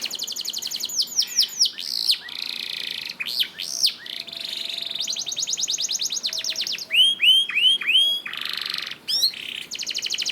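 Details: A master song meant to get canaries singing. Trills and buzzes alternate with arched whistles, and a sustained rapid rattle leads into a run of descending whistled notes, then more trills.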